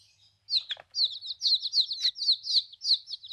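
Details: Newly arrived baby chicks in a backyard flock, peeping in a steady stream of thin, high chirps, several overlapping, about four per second after a brief quiet start.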